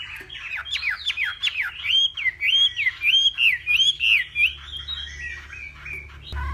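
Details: Northwestern hwamei singing at dawn in a singing-contest setting: quick series of looping, slurred whistles repeated nearly twice a second, bright and ringing, ending with a short clipped burst.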